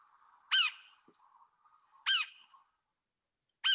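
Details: In Cuba, an endangered Fernandina's flicker, one of a few seen together, gives loud, harsh, nasal squawks, three in under four seconds, about one every second and a half, with faint thin notes between.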